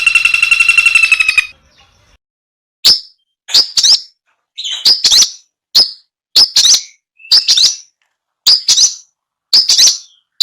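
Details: Long-tailed shrike tutoring song, recorded 16 May 2022 in a home yard and rice field on a Samsung M30 phone: a short buzzy trill, then sharp, high, separate chip notes about once a second with quiet gaps.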